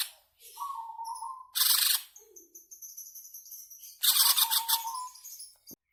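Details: Greater green leafbird lure song in ngebren style for caged birds: a level low whistle, a harsh high burst, soft low notes with thin high tones, then a loud rasping phrase over a drawn-out whistle.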